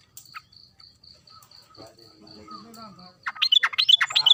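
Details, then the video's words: Sooty-headed bulbul singing energetically: after a quiet stretch with a faint steady ticking, a burst of quick, bright, chattering notes fills the final second. "Kicau trucukan gacor"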